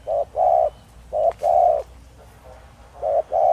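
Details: Spotted dove of the Thổ Đồng voice style, used to lure wild doves: short and long flat, mellow coo notes in quick pairs, separated by brief pauses, with a soft background hum.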